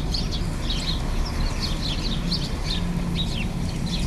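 Sparrows give short, bright chirps, several a second from more than one bird, over a steady low rumble like distant traffic.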